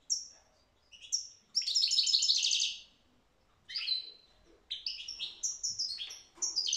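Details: European goldfinch song from 2022: scattered high chirps, a dense buzzing rattle about a second long, then a lively run of liquid twitters and tinkling notes over low background hiss.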